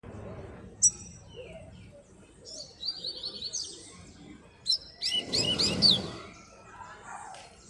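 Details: Coleiro singing a lot outdoors on a street, a puxada song: a sharp high note, then scattered bursts of fast buzzy, warbled high phrases, with a louder rapid trilled run near the end, over steady low background voices and street murmur.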